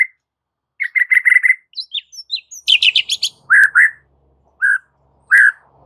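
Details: White-rumped shama aggressive fighting song used as a training master: bright whistled notes near mid pitch, a fast repeated chattering run, high sweeping phrases, then spaced rich whistles with sharp clicks, separated by silences.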